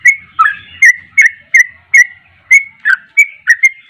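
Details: Sooty-headed bulbul singing: a string of clear, down-slurred whistled notes roughly every third of a second, with faint low thumps in the background at the start.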